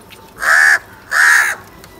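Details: Crow giving two loud, harsh caws in quick succession, each about a third of a second long, with a short gap between them; no other sounds are clear.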